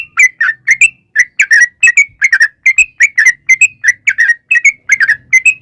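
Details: Yellow-vented bulbul (trucukan) giving lively lure song: a steady string of paired and single whistled chirps, rising and falling slightly, several per second with brief gaps, on a quiet background.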